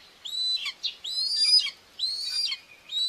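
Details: Common buzzard mother feeding two young at the nest, Tiszalök, Hungary, 2 June 2024: three drawn-out high whistles, each sliding upward then dropping sharply.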